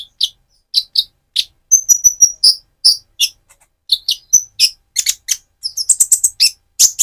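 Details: Van Hasselt's sunbird in speckled plumage singing energetically as a provoking sound: spaced high chips, a thin level whistle, then quicker clusters of sharp twittering notes.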